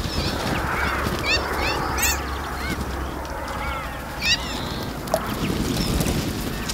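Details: Iberian magpies in a group, bathing in a fountain; chattering series of short rising squeaks and arched whistles, dense in the first half, with constant water noise underneath.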